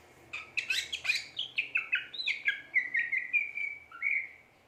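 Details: Greater green leafbird, cucak ijo in gacor form, delivers a dense warble of quick whistled notes that settles into a steady run of repeated phrases.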